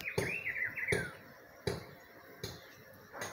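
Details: Rufous-browed peppershrike in spring: a quick warbled phrase of looping whistled notes at the start, then loud sharp knocks repeated roughly every three quarters of a second dominate.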